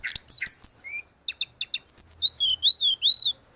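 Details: Caged-bird training audio of a grey-cheeked bulbul in vigorous song: a few sharp chirps and clipped notes, then a run of loud, arched whistled slurs repeated about every half second.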